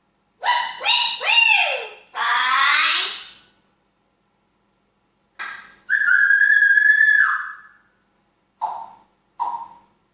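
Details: Talking African grey parrot indoors giving loud, harmonic vocalizations: several quick rising-and-falling whistled notes, a drawn-out nasal buzzy note, then a long wavering whistle and two short clipped whistles, with silent gaps between.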